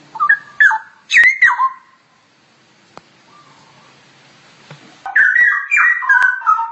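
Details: Straw-headed bulbul singing ngoceh-style as masteran material: bursts of rich, bubbling whistled notes tumbling downward, a quiet pause with a faint low whistle, then a louder run of liquid warbled phrases.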